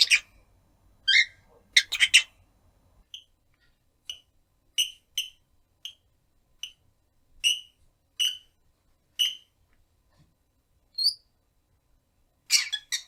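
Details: Caged rosy-faced lovebird, one year nine months old, giving calls for its owner: a few rough squawks, then a long series of short, sharp single chirps spaced roughly half a second to a second apart, ending in a harsh burst.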